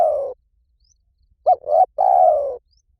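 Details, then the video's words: Spotted dove playback in 'liu tan' style for coaxing another dove to reply: the tail of one falling coo, a pause, then a fresh three-part phrase of short note, swelling note and long low coo. "สำหรับเปิดล่อนกเขาใหญ่ฝึกต่อ ให้ขันโต้ตามเสียงนกเขาใหญ่หลิ่วตัน"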